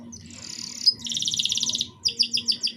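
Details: Young-canary stimulation song from a canary: a sustained buzzy trill, a sharp whistled accent, a dense rolling trill, then five or six evenly spaced high chirps.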